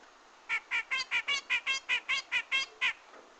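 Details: Grey-cheeked bulbul (cucak jenggot) sound used as a lure for trapping: a quick, even string of about eleven rich, chattering notes, roughly four per second, in a quiet background.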